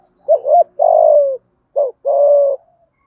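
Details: Spotted dove calling to stir other doves into cooing: a deep, wavering double note flows into a long steady coo, then a short note and another sustained, slightly falling coo. Quiet background.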